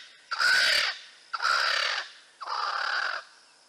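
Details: Proud territorial calling of a noisy Swainson's spurfowl, heard in a bird call quiz: three loud, raucous, rasping screeches of about three-quarters of a second each, roughly one per second.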